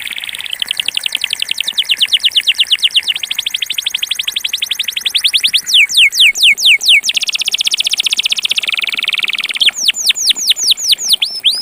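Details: A pure bell-type (campainha) Belgian canary sings rapid trilled tours of high, fast-repeated notes, shifting between buzzy rolls and ringing bell-like sweeps, with nothing else heard.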